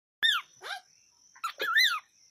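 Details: A pet cockatiel on a small farm chatters in two quick bursts of raspy, rising-and-falling chirps, against a faint, steady high-pitched whine.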